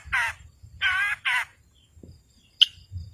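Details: Long-tailed shrike calling, used to provoke silent birds into singing: three loud grating, caw-like notes close together, followed by a single sharp high chip.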